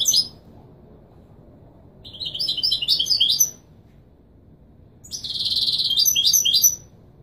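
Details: Moroccan Kobriya-type European goldfinch delivering Wedani Marrakchi song meant for tutoring fledglings: a chattering burst, a pause, then a longer buzzy, sustained twittering run.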